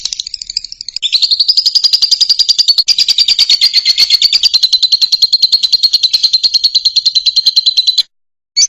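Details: Song of a Fischer's lovebird, played to teach young birds to sing: a long unbroken series of fast, shrill, high chirps at a steady pitch lasting about seven seconds, ending in one brief squeak.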